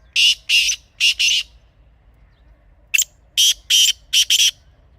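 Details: Black francolin (kala teetar), said to be recorded in a natural setting in Pakistan and used as a hunting call, gives two harsh, grating phrases of four to six rasping, clipped notes, separated by a brief pause; otherwise quiet.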